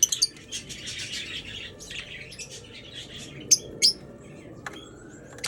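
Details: Aviary Major Mitchell's cockatoos, the pink cockatoo, uttering rapid irregular high screeching chirps, with a few loud sharp bursts near the end over low background hum.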